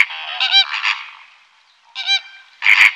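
Flamingos giving loud, goose-like honking calls in short nasal bursts, several overlapping, with a brief pause before a final harsh honk.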